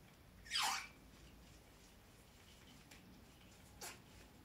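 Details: A female white cockatoo, an alba, gives one short, harsh, raspy squawk, then a much fainter rasp about three seconds later, in a quiet room.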